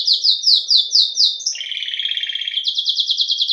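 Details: Canário-do-reino, the Belgian canary, sings five or six loud sweeping downslurred notes, then a lower buzzy rattling trill, and closes with a quick run of high pulsed notes.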